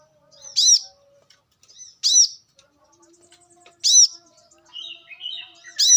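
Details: Free-living brown-throated sunbird repeating emphatic, high, sharp chirps every two seconds or so, softer ticking notes between, and another bird's buzzy trill near the end.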